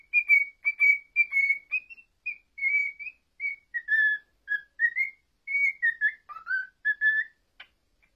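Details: Male pet cockatiel singing a tune learned over one year, "If You're Happy and You Know It," for a female, indoors; clear whistled notes in short phrases, mostly level with a few rising and falling slides, in a quiet room.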